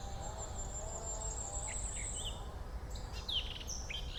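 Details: Birds singing in a forest: a long thin high whistle held for over two seconds, then scattered short sharp chirps and quick descending notes later on, over a steady low rumble of background noise.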